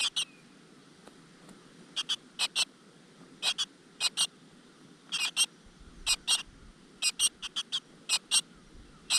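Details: Nestling great tits in a crevice nest, with the mother bird delivering insects. Piercing, short high notes come in doubled and tripled bursts, steady through the recording, over faint low background noise.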